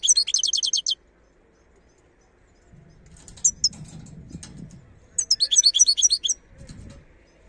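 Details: Wild European goldfinch from Algeria singing rapid high tinkling twitters in two bursts separated by a gap, with a low rumbling background noise in the middle.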